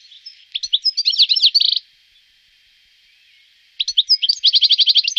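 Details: European goldfinch at Wittlich, 2018: two bursts of fast, tinkling chatter ending in quick repeated notes, split by a quiet gap of about two seconds.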